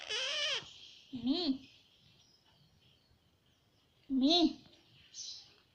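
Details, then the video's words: Talking parrot imitating "mummy": three loud voiced speech-like words with arching pitch, separated by pauses, over a steady high hiss. "Mummy Papa Bolne Wala Tota || Talking Parrot"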